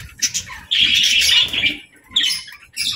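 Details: A pet budgerigar at evening play gives a sustained scratchy squawk lasting about a second, then short harsh chirps follow, with faint thuds of movement in the background.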